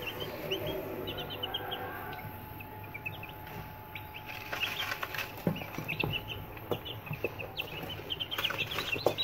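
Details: Newly hatched chicks in an incubator: many thin, high peeps scattered through the recording, several birds calling at once, with scratchy knocks, tapping and a steady machine hum.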